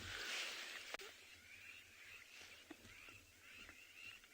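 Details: At sunrise on 28 June 2020, in winter, a big flock of crowned lapwings flying in the distance gives rapid, harsh, shrill alarm notes over a steady hiss, sending nearby meerkats bolting underground.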